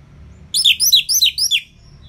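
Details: Orange-headed thrush in ngeplong style, played to make lazy birds sing: four quick high, down-slurred whistled notes in a tight row.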